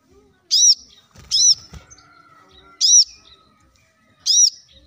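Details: Plain-throated sunbird singing briskly, a recording meant to get other birds singing: four loud arched high notes over five seconds, with faint clicks and a soft low rattle after the second.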